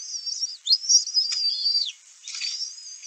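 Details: Young bald eagle at a nest-cam site, 11 May 2024, two eaglets vying for a delivered fish; strained, high-pitched squealing whistles run together in a continuous wavering stream, dipping briefly before resuming more faintly.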